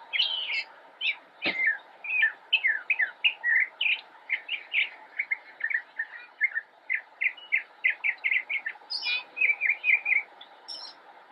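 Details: Immature Northern mockingbird singing from a bush in Cabarrus County, North Carolina, United States, filmed 10 October 2016: a fast, continuous run of varied chirps and short warbled phrases, many notes repeated two or three times, with brief sharp high notes.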